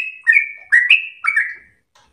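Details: Short burst of sooty-headed bulbul song used to train captive birds: three liquid, warbling notes slurring downward, then a brief silence.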